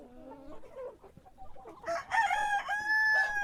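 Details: In the morning, a rooster crows: quieter clucking and distant calls first, then a loud crow of broken syllables leading into a long sustained harmonic note.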